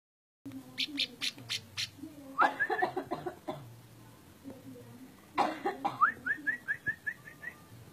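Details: Orange-spotted bulbul: rapid harsh, scratchy bursts, then a run of about eight short clear upslurred whistles, each rising and evenly spaced, over a low steady hum and faint muffled background sounds.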